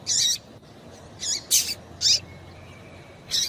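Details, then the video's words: A female Yellow-bellied Seedeater calling, used to stimulate males to sing, gives five short, high chirping notes singly at uneven gaps over a few seconds, with faint background hiss. "Piado de Fêmea de Papa capim"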